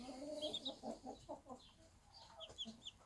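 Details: Bantam hen with one-day-old chicks in a backyard: quick soft clucks in a rapid series, overlaid by high thin chick cheeps, against a steady background hiss.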